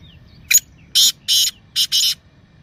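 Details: Black francolin (kala teetar) calling in a 'masti' voice, meant to stimulate captive francolins to call: a brief sharp opening note, then four harsh, grating bursts in two pairs over quiet background.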